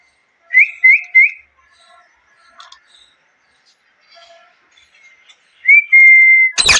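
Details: A parrot gives three quick, upslurred chirps in a row, a pause with soft faint notes, then a rising whistle held flat, cut off by a sharp, harsh burst.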